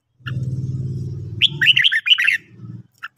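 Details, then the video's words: Red-whiskered bulbul morning song for training: a steady low humming drone first, then a bright run of rapid, rising-and-falling whistled chirps, followed by the hum again. "luyện chào mào hót buổi sáng"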